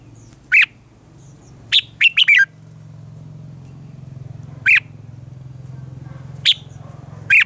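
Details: {'caption': 'Red-whiskered bulbul morning song in the mature wild-forest voice style, played as lure sound for training caged birds: short bright chirped notes, some in quick clusters, spaced irregularly over a steady low humming background.'}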